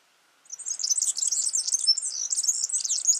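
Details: Wild yellow-fronted canary singing in nature: a fast, continuous run of high twittering and warbling notes with rapid chirps and short trills, starting after half a second of silence, with no other clear sounds.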